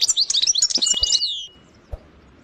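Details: A European goldfinch gives a brief sersir phrase of fast, glittering high twitters that trail into a thin, sustained whistled tail, then falls quiet apart from a faint tap.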